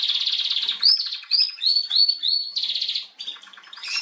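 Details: Female canary on 21 January 2022 alternating fast rolling trills with clear slurred whistled notes, repeated several times in a lively sequence.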